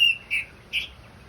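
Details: Orange-headed thrush in a song-therapy recording meant to get the bird singing: three clear whistled notes, a brief high note followed by two slightly lower slurred notes, spaced about 0.4 seconds apart, in a quiet setting.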